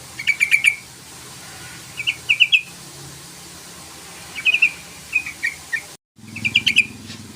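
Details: Yellow-vented bulbul calling out to a rival to goad it into song: short bursts of three to five bright, chattering notes repeated every couple of seconds, with a brief dropout near the end.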